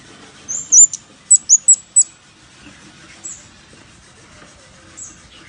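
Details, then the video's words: Lure call of a scarlet-backed flowerpecker: a high slurred note, then four crisp, very high ticks in quick succession, followed by two faint distant tsip notes. "Suara Pancing Burung Cabean merah | Burung Cabai Merah | Sepah Puteri | Chirp of Birds / Chim Ốc Mít"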